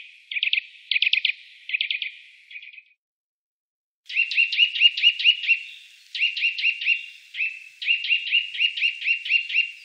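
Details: Eurasian nuthatch in the Wittlich valley, 2018, giving short rapid trill bursts, then a longer run of quick, chattering repeated notes with brief gaps between groups.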